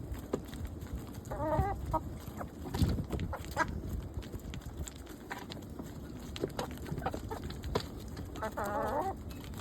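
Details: Hens give two brief, wavering, warbled calls several seconds apart, with scattered soft clucks and low rustling and knocking noises in between.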